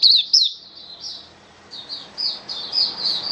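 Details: Caged Oriental white-eye kept as a hobby songbird, recorded 27 October 2022. Thin, high twittering with quick down-slurred notes, a loud burst at the start and again near half a second, then softer chirps. Faint low room hum underneath.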